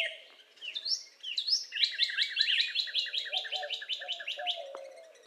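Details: Northern cardinal singing a rapid series of short, clear, slurred notes, about three per second, with a faint lower murmur of other sound beneath.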